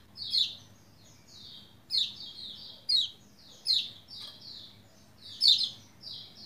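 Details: Lombok white-eye in full song, meant to stir quiet white-eyes into singing; five loud high chirps roughly every second and a half, each trailed by softer descending slurred notes, over a faint low hum.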